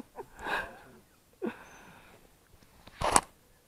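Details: Three short breathy bursts like sniffs or snorts in a quiet room, with no clear animal call.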